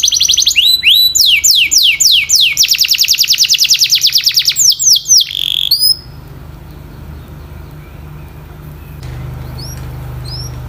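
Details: Canary training song: quick falling whistles running into a fast steady trill, a brief buzzy note, then near silence with a couple of faint distant chirps and low hum.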